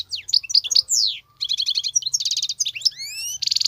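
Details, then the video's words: European goldfinch, wild-caught, singing continuously. Its rich jumble mixes sharp repeated chips, fast rattling trills, rising whistled glides and a closing buzzy trill, all high-pitched and tightly packed. "صوت الحسون البرى:مقنين خلوى ممتاز..بتبتات.. غناء لاينقطع"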